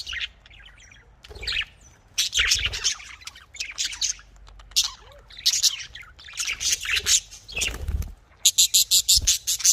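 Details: Australian parrots, or budgerigars, warble and chirp in dense scratchy bursts that grow louder, ending in a fast run of evenly spaced sharp chips.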